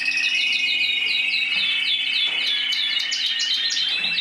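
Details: Canary of the mosaic type singing rapid repeated down-slurred chirps over a steady sustained trill, bright and lively throughout.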